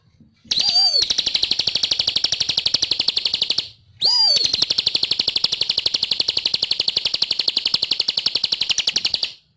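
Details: ['Bar-winged prinia in full song: two long runs of very fast, high, buzzy notes, each opening with a short falling whistle and ending abruptly.']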